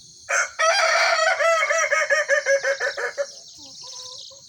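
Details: Kukuak Balenggek rooster, one of two birds, red and yellow, caged together for a crowing contest. A loud drawn opening note runs into a long chain of about a dozen quick stepped syllables that fade out, with insects buzzing behind.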